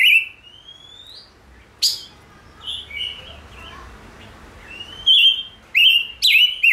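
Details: Gouldian finch song: a drawn-out rising whistle, a sharp note, soft murmuring notes, then three loud slurred whistles close together at the end.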